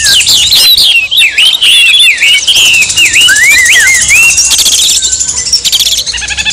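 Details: Oriental magpie-robin song combination used to provoke another bird into agitated singing: loud, rapid, varied whistles sliding up and down in quick succession, with dense overlapping high buzzy chatter throughout.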